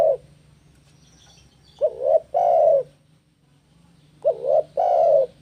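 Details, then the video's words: Spotted dove (tekukur) song for luring and training doves: soft, low repeated coos, each phrase a short wavering coo then a longer sustained one, two phrases heard with quiet pauses between. "Masteran Burung TEKUKUR Gacor - AMPUH Pancing Tekukur Bunyi"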